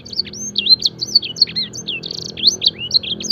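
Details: Song-training recording of a fancy canary that mimics blackthroat and edel sanger songs. It gives a quick chain of clear high whistled sweeps, rising and falling slurs and a short buzzy burst, with no pauses.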